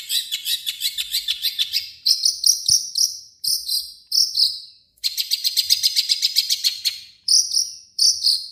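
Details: Long-tailed shrike giving a harsh lure song to stir other shrikes. Fast, even, chirping trills in high bursts of one to two seconds, separated by brief gaps, sound almost cricket-like.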